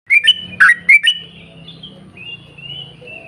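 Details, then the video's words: Yellow-vented bulbul in a long 'ropel panjang' chattering style, used to lure other bulbuls into singing: a short burst of bubbly, liquid whistled notes opens, then fainter drawn-out whistles trail off over a low hum. "trucukan gacor ROPEL PANJANG buat pancingan trucukan agar bunyi"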